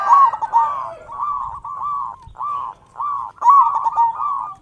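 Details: Strong-voiced local zebra dove from Indonesia, used to lure and excite other zebra doves into calling. Separate bursts of fast, rolling coos on a level pitch with short silences between, the loudest at the start and near the end.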